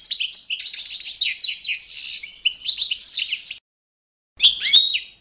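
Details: Standard competition song of a Balkan goldfinch, Carduelis carduelis balcanica: rapid high twittering with trills and one buzzy burst, a silent gap near three and a half seconds, then renewed bright chirping.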